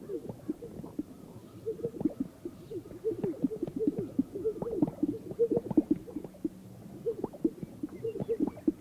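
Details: Greater sage-grouse performing mating rituals on a remote historical lek in sagebrush in North Park, Colorado, in the morning: a dense stream of low popping, bubbling and cooing notes from several birds, overlapping rapidly throughout.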